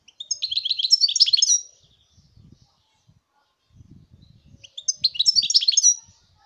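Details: Song of a European goldfinch, 2019: fast, tinkling twitters packed into phrases over a second long, given twice, with soft low rustling and thumps in the pause.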